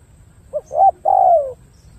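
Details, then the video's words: Spotted dove calling: two quick soft notes leading into one drawn-out, gently falling hollow coo, with quiet background. "Đồng gù bài bản tốt"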